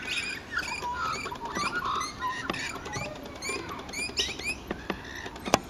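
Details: Rainbow lorikeet: a busy run of overlapping harsh chirps and short screechy notes with a few smoother squeals, mixed with sharp clicking and pattering sounds throughout.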